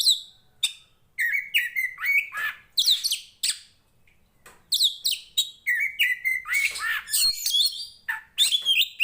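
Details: Oriental magpie-robin of the poci Tretes kind, a fighting kacer used to train similar birds; bursts of chattering and whistled notes, a quiet gap around four seconds, then a fast mix of buzzy and clear phrases.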